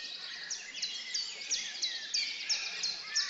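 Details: Male European robin courting a female that has just been fed, giving thin, high, squeaky notes repeated about three times a second over a faint background hiss.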